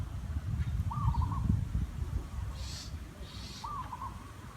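A zebra dove gives two short, soft, rolling cooing phrases, a rising note then stuttered trills, over heavy low rumbling wind and a couple of rustles.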